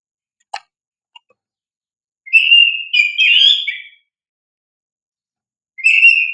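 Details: Oriental magpie-robin (kacer) lure song for training young birds: after two brief clicks, a rich warbled whistled phrase rising and falling for nearly two seconds, then silence and the next phrase starting.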